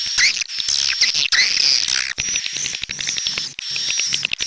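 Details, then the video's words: Many swiftlets, red-nest type, calling at once: sweeping squeaky chirps and dense high twittering in waves, with short gaps between bursts. "SUARA BURUNG WALET - Royal Wellness WALET SARANG MERAH"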